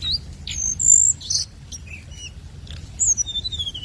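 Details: Scarlet minivet lure song in bright high whistles: a long level note, then sliding phrases and short downslurs, with a few scratchy chips between them.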